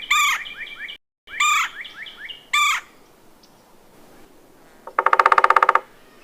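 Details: Red-bellied woodpecker rolling call: a quick burst of a dozen throaty pulses near the end. It comes after three loud bursts of sharp, down-slurred whistled notes from another bird.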